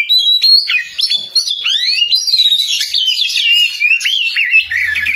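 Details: Oriental magpie-robin singing loudly and continuously, a rich run of whistled notes that slide up and down, with short trills and sharp upward sweeps strung together without pause.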